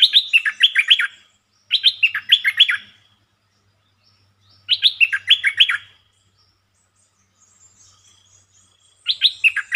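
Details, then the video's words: Red-whiskered bulbul with a short but pleasing song, opening its phrases quickly: three bursts of rapid, bright, descending whistled notes, each about one second long, separated by pauses of two to three seconds. "เสียงนกดอกแตงEp.150 จ้าวขันเงิน เปิดดอกเร็ว เพลงสั้นๆแต่น่าฟัง Suara pikat merbah lekir"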